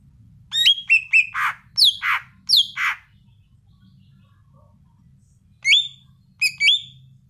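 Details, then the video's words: Greater green leafbird (cucak ijo) singing prolifically: loud bursts of sharp, slurred whistled and squawky notes in quick clusters, a silent gap of about two and a half seconds, then two more short emphatic phrases over a faint low hum. "Kicau burung cucak ijo yang gacor"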